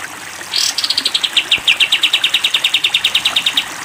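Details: Sooty-headed bulbul on a training recording for cage birds, long 'tembak' style: a quick upward sweep, then a rapid run of about thirty high, clipped notes, slightly falling in pitch, over three seconds.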